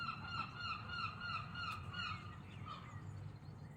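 Gulls calling in a rapid run of loud, nasal, honking notes with harmonics, about three per second, over low rumbling background noise.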